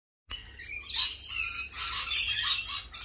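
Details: Lorikeets in spring, a dense wall of harsh, overlapping screeches and shrill chirps that starts after a brief silence and keeps up without a break.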